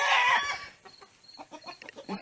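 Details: A chicken in a backyard flock gives a loud, harsh squawking burst, then a run of soft, low clucks about a fifth of a second apart. Roosters reportedly make this sound when about to pile onto a hen.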